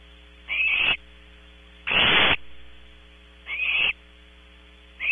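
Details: Barn owl owlets at the nest at Audubon Starr Ranch, California, recorded close up by a camera: repeated hoarse, hissing screeches roughly every one and a half seconds, one louder and fuller, against a constant low electrical hum.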